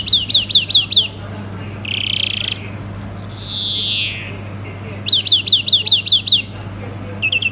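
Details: A European greenfinch sings quick bursts of bright twittering chirps, a short buzzy trill and a long drawn-out wheeze that slides downward, over a faint low hum.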